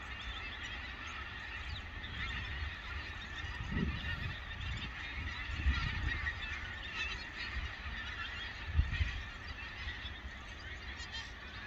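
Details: Thousands of pink-footed geese feeding in fields in the Ancholme Valley, North Lincolnshire; a steady distant murmur of flock chatter with louder nasal honks breaking through near four, six and nine seconds.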